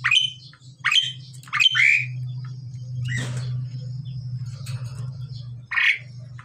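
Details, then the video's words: During pairing, male and female pied mynas give a quick run of three harsh, rising squawks, then a pause filled with low droning hum, and one more hoarse squawk near the end. "jalak suren jantan dan betina dalam proses penjodohan"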